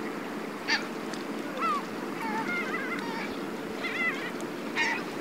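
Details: Black-tailed gulls (Larus crassirostris) among fishing boats at Ito Fishing Port, Tateyama, Chiba, Japan, on 16 October 2020, giving nasal, cat-like mewing calls, about one a second with wavering rises and falls, over a steady wash of harbour noise.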